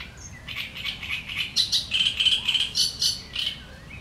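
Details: Great reed warbler in reeds giving sharp chattering song: harsh, grating notes repeated several times a second, rising and falling in loudness, with quiet outdoor background.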